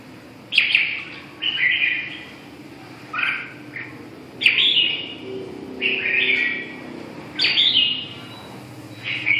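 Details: Red-whiskered bulbul singing: short, bright, warbled phrases repeated about every two seconds, separated by brief silences, over a faint low hum.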